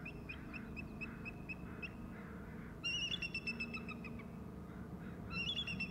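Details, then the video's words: Bald eagles at the nest: high, evenly spaced piping notes repeat for two seconds, followed by a louder, shrill, stuttering chatter burst and a second burst near the end, all over constant low background rumble. "male calling"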